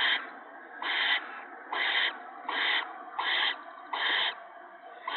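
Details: Owlets at the nest while an adult feeds them gopher on a March 2017 evening. A rhythmic series of rasping hisses comes about every three quarters of a second, each burst flat and noisy, over constant background hiss.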